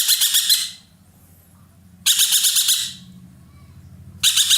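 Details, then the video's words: A roller kept in Indonesia for its loud voice repeats harsh, rasping, pulsed bursts about every two seconds, each lasting nearly a second. A low hum sounds underneath. "burung ekek Keling gacor nembak"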